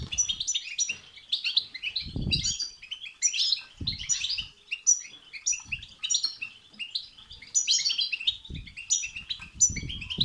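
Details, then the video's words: European goldfinch singing a lively, unbroken medley of high chirps, tinkling trills and buzzy notes, intended to stimulate a goldfinch to sing; intermittent low thuds are heard underneath. "بتبتة وستستة تخرج الحسون عن السيطره..... هيجان خرااافي تسببه هذه البتبتة نار على نار سيغرد حسونك"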